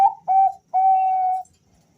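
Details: Male Bangkok-type zebra dove calling, one of two males answering each other: a clipped, whistled coo followed by a longer steady note and then a drawn-out level coo, clear and close in a quiet setting.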